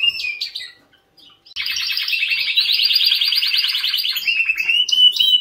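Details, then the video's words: Canary song: a couple of quick chirps, a brief silence, then a long steady rolling trill ending in clear whistled notes. "Best Canary Singing '''Kanarienvogelgesang."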